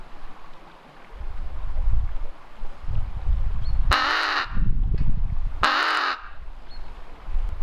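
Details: Lone captive female raven in an aviary, recorded by a hidden camera while chatty, utters two rough, raspy caws nearly two seconds apart amid steady low-pitched rumbling background noise.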